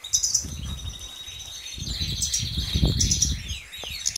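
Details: A European goldfinch gives a high, fast twittering song with a long buzzy trill, over rustling and soft thumping noises.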